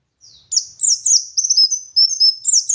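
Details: Local West Javan dakun Oriental white-eye from Garut giving ngalas-style song with wit wit and ngeriwik phrases: an unbroken, very high, thin warble of fast slurred notes that runs into a sustained twitter.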